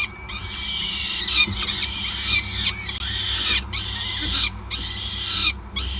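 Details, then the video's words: Harsh, rasping screeches from peregrine falcons during feeding at a Groningen nest, 5 May 2020, sustained for several seconds and cut by short silent gaps near 3.7, 4.5 and 5.5 seconds. "Slechtvalk ~ Endless Feeding"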